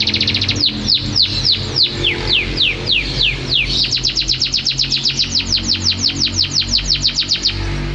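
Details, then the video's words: Champion canary singing spaced downslurred whistles that speed up into a quick, even trill, over steady low background noise. "Suara Kicauan Burung Kenari Juara"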